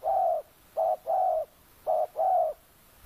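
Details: Loud, close coos from a decoy spotted dove drawing in wild doves at an oil palm plot in Kampung Luagan, Sabah. A long coo opens, then two pairs of a clipped note followed by a drawn-out coo.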